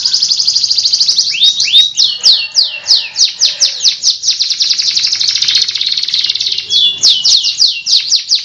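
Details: Long roll from a loper canary: continuous buzzy high trill overlaid with repeated sharp downswept notes throughout, faint low background noise.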